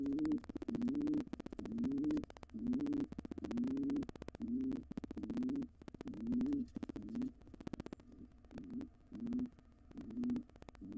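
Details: An intruding wild pigeon pair in a nest box tries to take it over after the resident pair's young fledged. A run of deep, throaty coos comes roughly every second, mixed with sharp clicking and scraping noises.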